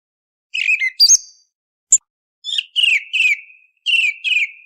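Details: Pre-dawn song thrush song for hunting: a rising whistled flourish, a thin click, then a fluted phrase repeated twice and another repeated twice, crisp and clean with no background noise.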